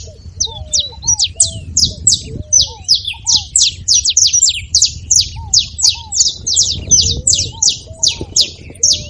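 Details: Saffron finch delivering an energetic song to prompt a canary's singing: a near-continuous stream of sharp high chips, about 171 per minute, with brief curved lower whistles and faint low rumble.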